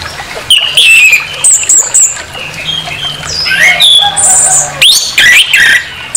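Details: Loud, aggressive orange-headed thrush song used as a provocation to anger a rival: rapid jumbled phrases of shrill whistles, rising and falling slurs and harsh chattering, delivered in repeated energetic bursts.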